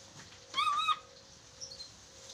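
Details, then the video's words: Chattering lory on a training recording meant to make lories talk quickly: one short, harsh, harmonic squawk held at a steady pitch. A faint steady hum runs underneath. "MASTERAN NURI DORA agar cepat bicara"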